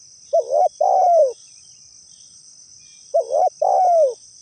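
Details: Spotted dove (tekukur) coo used as a lure for trapping: two phrases about three seconds apart, each a short double coo followed by a longer falling coo, low and mellow; a steady high insect-like hiss runs throughout.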